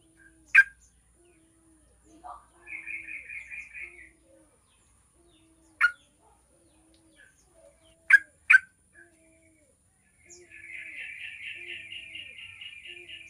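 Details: Yellow-vented bulbul song used as a lure to make other bulbuls sing: scattered sharp, burry notes, some paired, alongside stretches of rapid rattling trills in the background.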